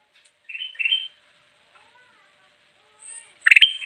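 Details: Bulbul (kutilang emas) singing for luring wild birds: two short rising whistled phrases, a quiet gap, then a sudden burst of sharp high whistles at the end.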